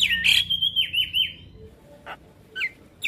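Javan myna: a bright, wavering whistle that slides downward in quick loops, then three short, sharp chirps spaced about half a second apart.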